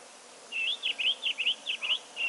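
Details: Gabar goshawks, including a melanistic form, come down to drink; a quick series of about nine short, high, slurred and hooked piping notes, roughly four or five each second, over a faint steady background hiss.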